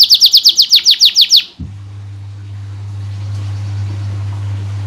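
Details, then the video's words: Canary singing as a prompt and model for other canaries: a short burst of about ten quick, high, evenly spaced trilled notes, followed by silence except for a steady low hum. "Suara Burung Kenari Gacor Untuk Masteran Dan Pancingan Burung Kenari Cepat Bunyi"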